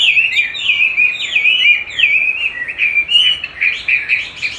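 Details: Chinese hwamei in song training, challenging a recording of its own voice; loud fluid whistled phrases with swooping slurs and quick warbles.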